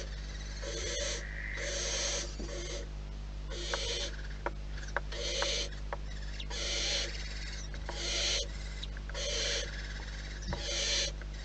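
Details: Wild barn owls at their nest: long, harsh, breathy hissing screeches repeated about every second, with a few sharp clicks in between and a steady low hum behind.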